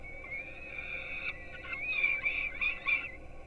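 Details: Peregrine falcon chicks in a Gdynia, Poland nest, early morning feeding at 4:21 am: one long thin wail, followed by a quick series of short, wavering squeals, about four per second.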